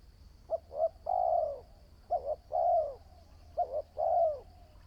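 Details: Spotted dove, a new bird being trained as a decoy for trapping, said to show promise: three phrases of two short hooting notes then a long, low, slightly falling coo, with a faint steady high whine behind.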